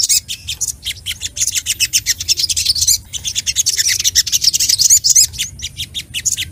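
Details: Sogok ontong sunbird singing in an agitated, emotional way to provoke rivals: a rapid stream of high, sharp chirps and twittering notes, about four per second, broken by brief pauses, with thin whistled flourishes near the end.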